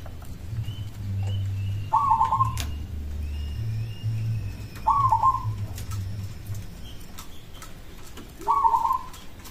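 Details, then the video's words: Local zebra dove song said to make other doves answer: three brief, soft stuttered coo phrases with faint higher calls and low hum behind. "Perkutut lokal suara ini disukai burung perkutut langsung nyaut"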